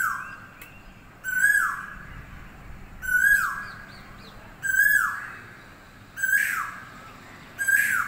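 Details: Bird singing in the morning, a loud descending whistled note repeated about every one and a half seconds, each phrase ending in a brief upturn, with quiet background hiss between phrases.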